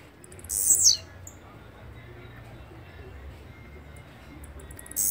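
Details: Blue-black grassquit song: one intense, high, buzzy phrase with a falling ending. A second phrase begins just as the recording ends. Background is otherwise quiet.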